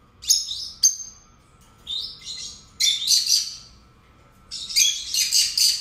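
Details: A pair of pet lovebirds trade sharp piercing chirps and rising squeaks, building into dense, raspy bursts of overlapping chatter separated by brief silences.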